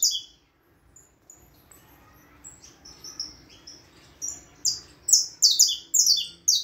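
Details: Saffron finch singing: sparse high chirps at first, then a run of bright, buzzy, high-pitched notes that quicken toward the end, about two per second, over a quiet low hum.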